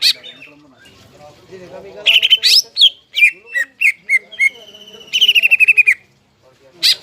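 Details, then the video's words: Greater green leafbird in vigorous song with crest raised, used to rouse stressed leafbirds that have stopped singing: varied sharp whistles and chips around a bright mid-high pitch, including a fast rattling run of repeated notes, with brief pauses between phrases. "CUCAK IJO GACOR JAMBUL NGENTROK PALING AMPUH MENAIKAN EMOSI CUCAK IJO STRES DAN MACET"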